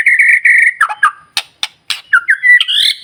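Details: Energetic White-rumped shama song meant to rouse other shamas; held buzzy whistles, then sharp clicks, ending in rising slurred whistled notes.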